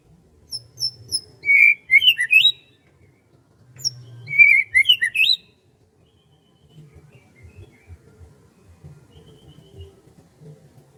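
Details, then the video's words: Morning in rice fields with birdsong: two bursts of high, tumbling chirps and twittered phrases, each about a second long, separated by a pause, then quiet with faint low background noise. "SUASANA PAGI DI SAWAH SAMBIL DENGERIN KICAUAN BURUNG"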